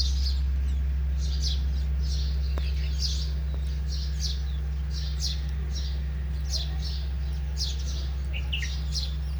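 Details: Sparrow chirping while bathing and flying: short, bright chirps repeated about three to four times a second in a steady series over a constant low hum.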